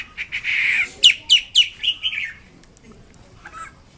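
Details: Wambi kembang mandarin bird in full voice: a buzzy opening, then five or six quick, falling whistled notes that trail off into quiet.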